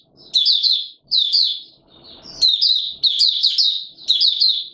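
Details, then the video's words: In warm humid weather on 20 March 2022, a white-eye sings five short bursts of thin, fast twittering notes, each phrase roughly half a second to a second, spaced by brief gaps; low muffled rustling sits underneath. "Mata Puteh Raja Video 1 buka sing"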